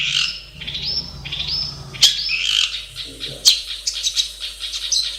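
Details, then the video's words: Long-tailed shrike singing in its natural habitat: a varied run of scratchy, high chattering phrases and short whistles, with sharp accented notes breaking in, over a faint low hum. "SUARA BURUNG CENDET DI HABITAT ASLINYA"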